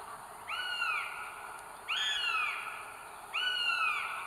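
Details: Northern goshawk mother on a nest holding three eggs, North Estonia, 30 April 2022, live nest cam: three long, gently descending nasal wails, evenly spaced roughly every 1.4 seconds, with faint hiss behind.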